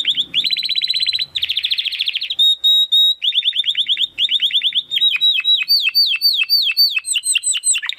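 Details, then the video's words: Contest-training song of a domestic canary in crystal-voice style: dense rolling trills, a pure held whistle, then rapid repeated notes shifting into a sequence of falling sweeps. "Kenari Gacor Suara Kristal Buat Masteran Burung Gantangan"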